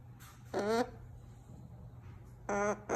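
An umbrella cockatoo gives two short, harsh, nasal honks about two seconds apart, each rich and buzzy, over a low indoor hum.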